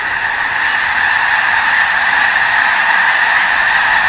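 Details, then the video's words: Thousands of snow geese near Lake Street at McNary National Wildlife Refuge, Headquarters unit, Washington: an intense, close chorus of shrill honks merging into a harsh, steady roar without pause. "Thousands of Snow Geese at McNary National Wildlife Refuge"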